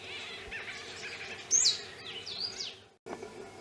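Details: Kurrichane Thrush, a common garden thrush in Nelspruit, northeastern South Africa, in the morning, giving a sharp, high, down-slurred whistle among thin chirps, over a steady low hum.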